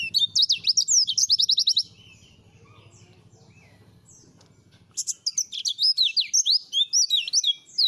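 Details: White-eye song for training, in the style called Langa Lingi: a lively burst of high chirps and quick trills, a pause of about three seconds, then another run of varied sweeping high notes.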